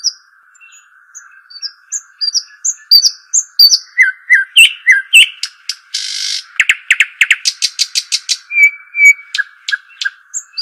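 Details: Long, varied phrase from the dakhl bird, or shuhaim: soft high whistles building into dense bursts of sharp chips, a brief harsh buzz, rapid rattling notes and a few level whistles, over a steady hum.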